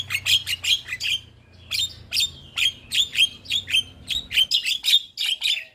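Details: Javan myna singing a steady string of clipped, high whistled notes, each sharply falling or flicked, roughly two per second with a short pause near the start.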